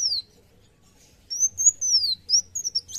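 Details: Kolibri wulung sunbird singing in a lively, challenging narung style: high, thin whistled notes sliding down, then a run of arched and wavering high phrases after a pause, with faint low background hum.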